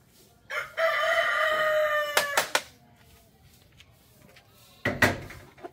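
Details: Rooster crowing, a single drawn-out harmonic crow that rises briefly, then holds steady for over a second before ending; a few sharp knocks and clicks follow in an otherwise quiet background.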